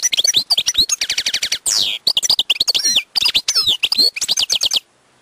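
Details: Wild European goldfinch singing a rapid, continuous twittering song: bursts of high liquid notes, rattling trills of evenly spaced clicks, and sharp downward-swept whistles, pausing briefly before ending in silence.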